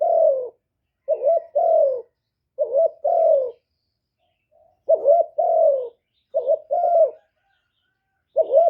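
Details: Caged spotted dove used as a decoy to excite wild doves, recorded close without background noise: steady series of about six deep, husky coo phrases, each a brief lead note followed by a longer falling 'croo', every one to two seconds.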